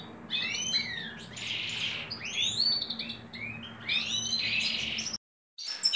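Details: Mutation European goldfinch during mating, giving busy twittering song of rapid chirps, buzzy notes and short rising and falling whistles, in bursts with a brief silent gap near the end.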